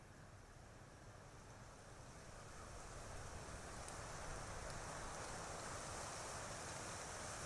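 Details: Outdoor wind and rushing noise rising in strength, with no clear animal voice.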